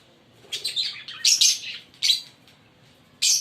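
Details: Green Fischer's lovebird pair chirping: a run of squeaky, shrill chirps in quick succession, ending in one sharp loud note.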